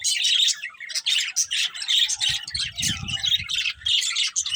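Budgerigars keep up a busy stream of scratchy, buzzy chirps and warbles, with short bursts every fraction of a second and faint low rustling underneath.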